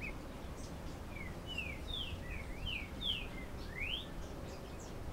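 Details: A diademed tanager in Canoas, Rio Grande do Sul, Brazil, sings a galloping song: a quick run of clear, slurred whistles, some rising and some falling, over a steady low rumble.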